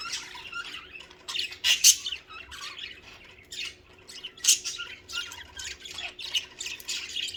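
Budgerigars chatter happily in scratchy, warbling bursts broken by sharp squawks.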